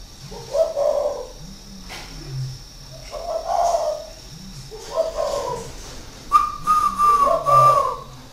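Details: Cooing phrases from a caged spotted dove, an experienced decoy kept six years in a cage at a Ba Vì aviary in northern Vietnam. Soft, husky coos come in regular groups, with a clearer, higher drawn-out note near the end.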